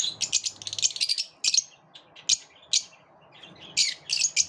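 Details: Several lovebirds living together yet repelling each other, giving rapid clusters of shrill, high chirps, then single sharp notes spaced about a second apart.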